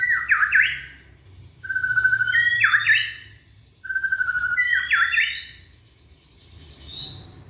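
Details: Young white-rumped shama from Indonesia, showing off, used to prompt other shamas to sing: long level whistles near mid pitch breaking into rapid looping rising and falling phrases, repeated in three bursts with short pauses and faint low hum.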